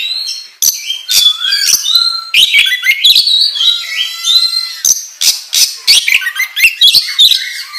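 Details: Continuous, varied song of a kacer, the oriental magpie-robin, in gacor ngobra style: long descending whistles, mimic-like buzzing chatter and harsh clicks that run together.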